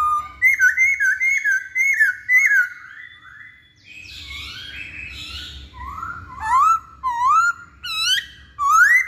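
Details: Male masked laughingthrush (poksay hongkong) song played as a lure to prompt silent males to sing: loud, clear whistled slurs, rising and falling, in rapid bursts, with a brief buzzy jumble midway.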